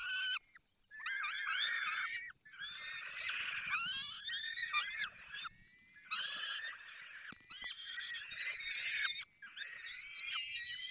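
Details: Falcons at a nest in the Barycz Valley while being fed: several voices overlap in raucous, rasping screams and wavering cries in long bursts, with brief pauses between them.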